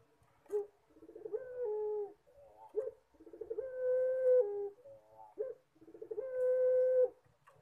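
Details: Collared dove of the puter pelung style in full performance. Three cooing phrases each open with a short sharp note, run into rolling stuttered notes, then end in a long, steady, held coo, about every two and a half seconds.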